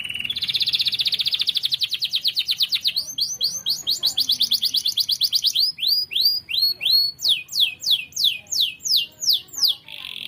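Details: Domestic canary in energetic full song, used as a tutor recording for training pet birds at home: fast buzzy trills at high pitch, rising into a clicking rattle, then a series of rapid downward-sweeping whistled notes, several per second.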